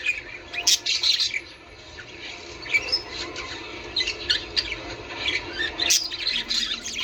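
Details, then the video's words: Budgerigar chatter meant to stimulate breeding: scattered high chirps, squeaks and scratchy warbles coming in uneven bursts, with a quieter stretch near the start and sharp clicks between phrases. "من أجل تحفيز طيور البادجي على التزاوج"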